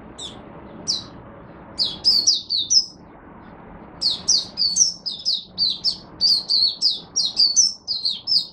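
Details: Oriental white-eye, a Singapore Mata Puteh kept as a hobby songbird, recorded in humid, warm, rainy, overcast weather in Singapore: rapid series of high, sweet chirping notes in bursts, accelerating into a long run of repeated slurred twitters.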